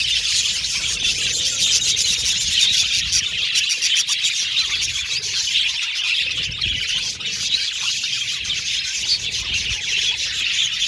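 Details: Budgerigars, an aviary colony of Australian budgies playing in their cage, singing and chirping: a dense, continuous wash of high twittering and warbling notes from many birds at once, with no pauses.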